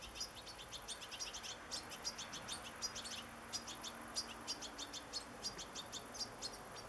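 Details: A begging young European goldfinch, fed with sunflower seeds in August 2014, gives insistent, sharp high chirps about three per second, uneven in timing, against a faint hum.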